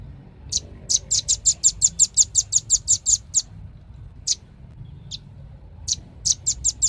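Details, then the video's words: Velvet-fronted nuthatch: a fast burst of high, clipped notes followed by scattered single chips and a short closing run. "SUARA BURUNG RAMBATAN PARUH MERAH"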